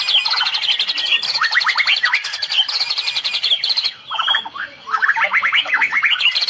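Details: White-rumped shama of the Medan type firing a full cililin-style 'tembakan', song said to make opponents back down. Continuous dense, buzzy high trills are layered with quick falling whistles, with a short lull near the middle.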